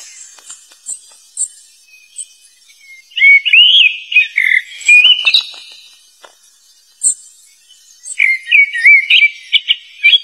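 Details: Wild southern black flycatcher (Melaenornis pammelaina) giving loud calls that attract rivals: two bursts of sweet, warbled whistles rising and falling in quick runs, with faint high chirps between.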